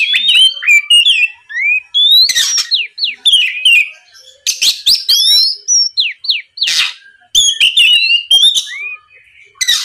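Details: Oriental magpie-robin singing in a fast, energetic style, used as a lure to provoke a rival into answering: loud whistled slurs rising and falling, interspersed with sharp harsh bursts and chattering notes, with short gaps between phrases.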